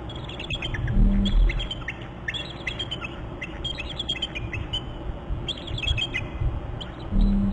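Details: Pair of bald eagles trilling together at their nest on Hornby Island on 21 April: bursts of high, thin chittering notes in quick series, recurring through the clip over steady low wind rumble.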